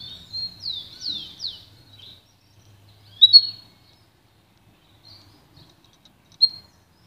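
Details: Pintagol, a goldfinch and canary hybrid, singing for song training: a few quick descending slurred notes near the start, then scattered short chirps separated by silent gaps.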